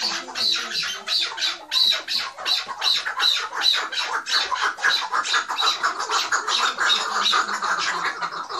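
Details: Chukar partridge at Mazıdağı, Mardin, recorded in 2018, giving a dense run of harsh, clucking chuk notes at about three per second. The notes are steady and unbroken, with a roomy, slightly noisy background.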